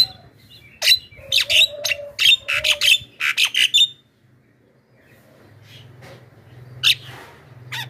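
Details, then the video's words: Javan myna giving a loud lure call to summon wild mynas: a burst of about a dozen harsh squawks and a few whistled notes. Quiet follows, with one later squawk over a low hum. "suara pikat burung jalak kebo,jeritan dahsyat untuk pancingan dan memanggil jalak liar"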